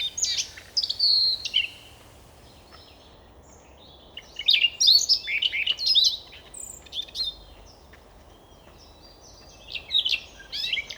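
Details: Forest song of a Siberian rubythroat in the Novosibirsk area of Siberia, Russia: a scratchy warbled phrase with a clear whistle, a long pause, then a busier, chattering run of high notes, and a final brief burst.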